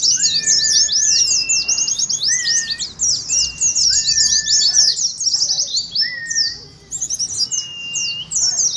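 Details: Oriental white-eyes giving rapid ngeriwik twittering, used to prompt captive birds to sing and to simulate a contest. Dense high chirp runs come with repeated short, level, slightly falling whistles, about five in the first half.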